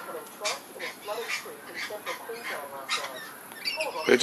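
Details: Young lorikeets playing and frolicking at a garden feeding spot in the morning, March 2011, give harsh, screechy squawks about every half second, rising into a louder burst at the end, with a man talking quietly underneath.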